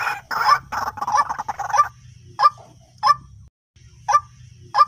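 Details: Calls of White-breasted waterhen, locally ruak-ruak, played as a lure: a dense, harsh rapid chatter for the first two seconds, then four separate short rasping notes spaced about half a second apart, over a low hum.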